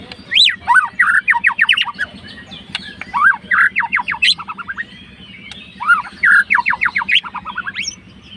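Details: Fighter white-rumped shama singing to stir a rival: loud bursts of quick slurred whistles and sharp repeated notes, several rapid phrases separated by brief gaps, with a constant low droning hum underneath.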